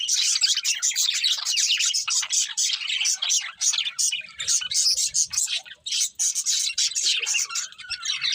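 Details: Budgerigars chirping happily while eating, a long dense stream of high twittering and clicky notes, pulsing in quick bursts, with soft low knocks in the background.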